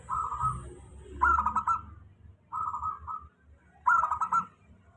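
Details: Local zebra dove giving a steady lure song to encourage reluctant doves: four short, rapidly pulsed coo phrases, roughly every one to one and a half seconds, with faint low background noise.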